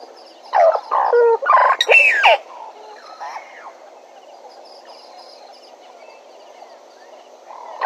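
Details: Bennett's woodpecker recorded at Djuma: a brief, loud run of four or five nasal, chattering notes ending in a high squeal, followed by fainter scratchy notes and a long quiet stretch with steady insect hum.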